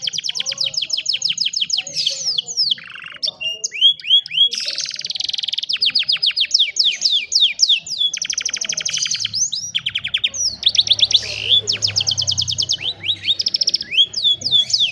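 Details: Extended canary song from a phone recording meant to coax a lazy canary into singing: nearly continuous phrases alternating fast trills, buzzy rolls and whistled downward sweeps, with faint low rumble at times.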